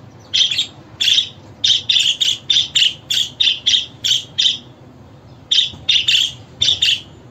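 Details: Chirping budgerigar calls intended to prompt pet birds to answer: an evenly paced run of short, high chirps, about two a second, broken by a one-second silence before a final cluster.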